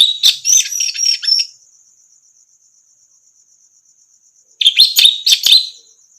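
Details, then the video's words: Orange-headed thrush singing for a training recording meant to prompt silent songbirds to sing. Dense buzzy, scratchy phrases with sharp clicks, a pause with only a thin background insect trill, then another scratchy burst. "masteran burung anis merah macet bunyi langsung nyaut gacor"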